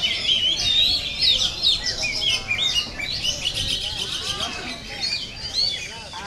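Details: Oriental magpie-robins at a bird-song contest simulation meant for training birds' mental readiness: several birds pour out overlapping high, varied whistles, chirps and quick slurred phrases in a dense continuous chorus with faint background voices.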